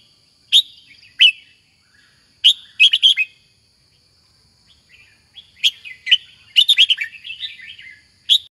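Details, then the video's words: Caged red-whiskered bulbul singing loud, clipped whistled notes, first single then quick clustered phrases, with quiet gaps between bursts and a thin constant background tone. "Red-whiskered Bulbul"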